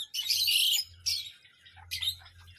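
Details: Parrot delivering a loud harsh screech, a shorter second screech, then a third rasping burst, each rough and noisy, with a low hum between them.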